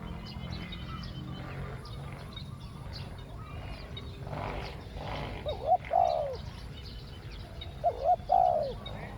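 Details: Decoy spotted dove luring wild doves with a two-note 'ku-ang' coo style: two separate phrases, each a short rising-falling coo followed by a longer fluttering note, with a soft background rumble and faint distant chirps.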